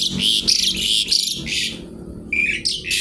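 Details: Javan pied starling song, kretekan nggaruda style: grating, crackling high bursts in quick succession, a brief pause, then sharper squawky notes resuming near the end.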